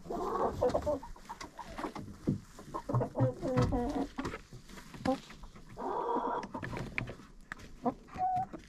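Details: Chickens in a coop, recorded with a GoPro placed inside: softer murmured clucks and low grumbles mix with rustling and thumps. A brief louder cackle comes near six seconds, then a short whistled note.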